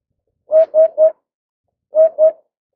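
Eurasian hoopoe giving soft, low, hollow 'hoop-hoop-hoop' notes: a quick run of three, a pause, then two more, each note evenly pitched and identical.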